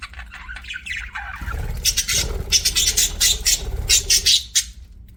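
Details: Pet budgerigar giving a fast series of sharp, squawky high chirps, about two or three each second, in an uneven rhythm over a low background rumble.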